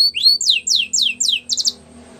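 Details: Male canary singing: a quick series of five high, downward-sweeping whistled notes, then a short buzzy trill, ending in quiet.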